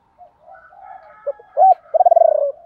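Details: Spotted dove used as a decoy, calling in the ba hậu style to lure wild birds; faint murmuring at first, then a short note, a loud coo and a quick rolled, stuttering phrase at the end.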